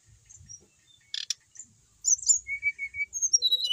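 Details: Brown-chested jungle flycatcher, a kept bird from Bali that sings freely: near silence and a sharp click, then high slurred whistles and a string of level whistled notes stepping down in pitch.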